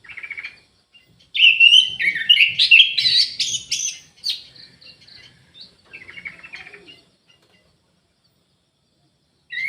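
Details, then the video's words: Aviary-kept Orange-headed thrush in full song: a loud burst of sweet, quickly changing whistled and chattering notes stepping upward over about three seconds, then softer scattered twitters and a brief start of another phrase. "ANIS MERAH GACOR"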